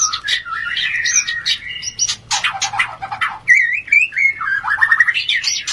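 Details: Mating song of a white-rumped shama, used to stimulate breeding urge: dense, rich mix of fluting whistles, harsh buzzy bursts and rising slurred notes, delivered almost without pause.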